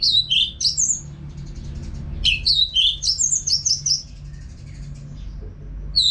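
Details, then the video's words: Caged orange-headed thrush in vigorous, unbroken song for bird training: rapid sequences of bright, downward-slurred whistles, about four notes per second, in two runs separated by a brief lull. "ANIS MERAH GACOR TIADA HENTI TANPA NGETEM BAGUS BUAT TERAPI BURUNG AGAR IKUT NGEPLONG NYAUT"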